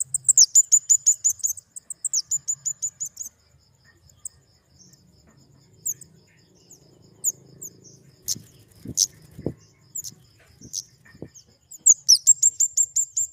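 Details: Flowerpecker (kemade) song: bursts of very high, thin, rapidly repeated ticking notes, with a fast run at the start and another at the end. Quieter scattered ticks and a few clicks fall between them.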